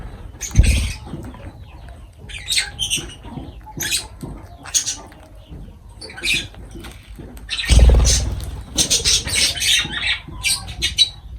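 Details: Lovebirds chattering while food is offered: dense bursts of shrill, scratchy chirps in clusters, with thumps and rustling between them.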